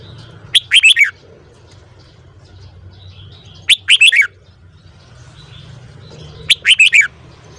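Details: Three evenly spaced song phrases of a red-whiskered bulbul in the morning, each a fast burst of liquid whistled notes ending on a falling slur, about three seconds apart.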